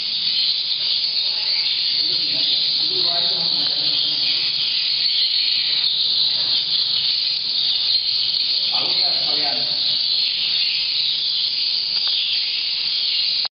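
A dense, continuous chatter of swiftlets, a hissing, buzzy twitter with brief lower chirping notes rising out of it now and then.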